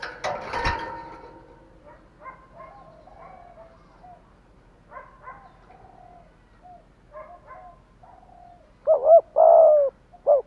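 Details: Spotted dove kept as a decoy, cooing to call in wild doves: a rattling knock and soft muffled notes, then a clear loud phrase near the end of a doubled note, a long steady coo and a short final note.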